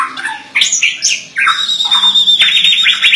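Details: White-rumped shama (murai batu) in energetic gacor song: rich, varied whistles jumping between low and very high pitches, then a held high note over rapid warbling, with a faint low background hum.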